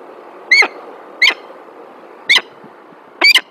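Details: Female peregrine falcon at a nest in Alphen aan den Rijn, Netherlands, recorded 9 December 2022. Four short, harsh, slightly rising squealing calls come at irregular intervals over a faint background hum.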